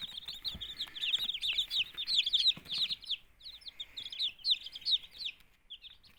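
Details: Chorus of two-day-old chicken chicks from a homemade incubator, housed alongside quail chicks: many shrill, quick peeps tumbling over each other, busiest in the first half and thinning out toward the end.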